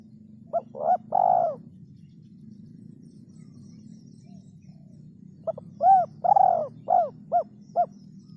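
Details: Spotted dove, kuk 3 song type: a three-note coo phrase, then a few seconds of quiet, then a longer run of short hollow notes and a drawn-out falling coo over a low background hum.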